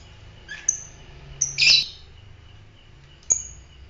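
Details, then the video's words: Fighter lovebird making thin high whistled peeps and one longer harsh screech, irregularly spaced, against a quiet hum. "fighter lovebird"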